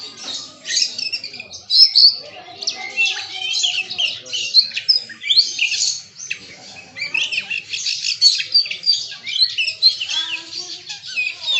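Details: Kacer, a magpie-robin, pours out its bongkar isian repertoire: dense, continuous high twittering and sharp chirps with quick rising and falling notes, loudest early on. Several other birds can be heard in the background.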